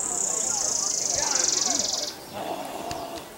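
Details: Buff-barred warbler at Long Lake, Jiuzhaigou, 3100 m elevation, 25 June 2014, giving a very high, thin, even trill of rapid identical notes lasting about two seconds, then stopping; faint other bird notes and background murmur afterward.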